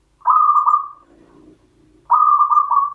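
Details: Mataram-rhythm song of a local champion zebra dove: a long, throbbing coo phrase followed after a gap by a second one, with a faint low murmur in between.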